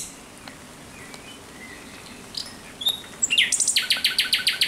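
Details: Thrush nightingale at night, 17 May 2023: quiet faint whistles at first, then a loud burst of rapid, evenly repeated clicking notes in the final second and a half.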